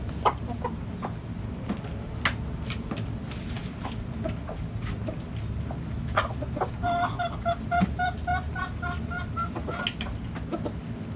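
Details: Backyard hens: scattered soft clucks and clicks at first, then a steady run of clear, ringing clucks about three per second in the second half, over low background hum.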